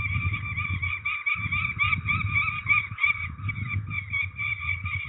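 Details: At a peregrine falcon ringing session in Trzebież, Poland, 13 May 2019, grating calls run almost unbroken, louder in the middle, over persistent low rumbling background noise with brief quiet gaps.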